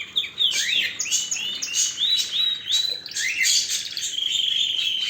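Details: A canary sings clear whistled, slurred notes in quick succession, then settles into a sustained rapid trill near the end.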